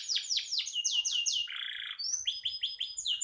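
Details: Canary singing vigorously, recorded as a model for teaching songbirds: a row of looping descending whistles, a brief buzzy rattle, then quick high repeated notes.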